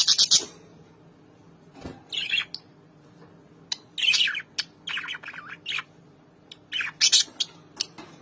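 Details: Albino lovebirds reunited after over four months of separation trade bursts of sharp, high chirps and harsh squawks, in clusters separated by short pauses, as if in lively conversation.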